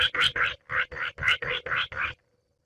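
A Baillon's crake gives about nine harsh, grating notes in quick succession, roughly four a second, then stops; nothing else is heard.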